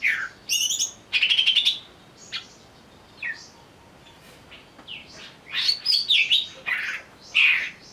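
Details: Agitated greater green leafbird, recorded as a lure to draw out song: loud varied phrases mixing rapid buzzy rattles, sweeping whistles and sharp chips, with short gaps.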